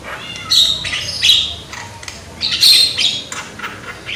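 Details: Young Javan myna with a strong voice, played to prompt other mynas to sing: scratchy, buzzy squawks mixed with thin whistles, in two louder bursts.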